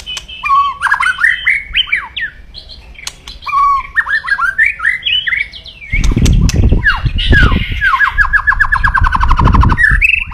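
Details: Captive white-rumped shama in loud aggressive crackling song to provoke rivals: varied whistled upslurs and warbles, then a rapid rattling series of descending notes, overlaid midway by loud low rumbling noise.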